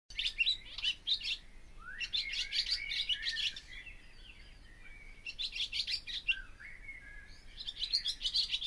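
A Barn Swallow sings a fast, bubbling twitter of high chirps and scratchy notes in bursts of about two seconds, with short gaps between phrases.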